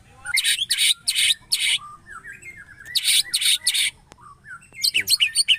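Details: White-rumped shama giving unusual harsh, rasping squawks in short bursts of about three, separated by softer thin whistles, with a sudden jumble of sharp high notes at the end.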